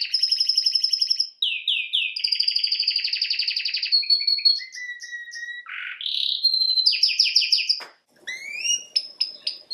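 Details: Canary song used for training birds: a rapid rattling trill, swooping notes, a long rolling tour, short descending whistles and buzzy bursts, then a brief pause and quick rising chirps; clean high-pitched phrases.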